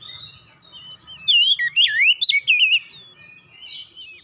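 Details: Oriental magpie-robin pouring out a short burst of sweet, twisting whistles and quick chattering warbles to attract fellow magpie-robins, framed by soft low background noise.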